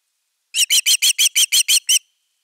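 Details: ['Osprey at nest camera #3 on 31 August 2021, defending the nest with nine sharp, high notes in a quick burst lasting about a second and a half.']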